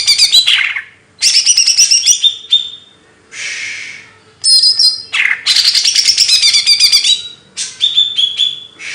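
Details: Loud, varied bird song of fast chattering phrases mixed with sweeping whistles, broken by brief pauses and a soft hiss between phrases.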